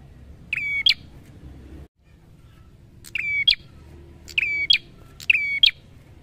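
A prinia sings four sharp, ringing two-part phrases, each a buzzy note snapping up into a high chip, repeated every second or two over faint background hum.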